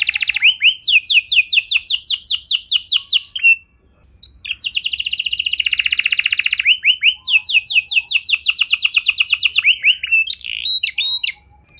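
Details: Canary song meant to get other canaries singing: long rapid trills of repeated high sweeping notes, broken by brief pauses, with rolling buzzy stretches between the trill phrases.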